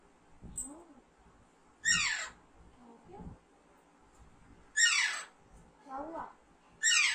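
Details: Pet Alexandrine parakeet at home, three loud, raspy falling squawks spaced about three seconds apart, with quieter chatter and human voices between them.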